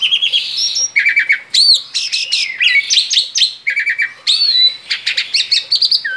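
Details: Energetic song of a male Asian pied starling outside its cage: dense chatter of looping whistles, rapid clicking trills and squeaky notes delivered almost without a break.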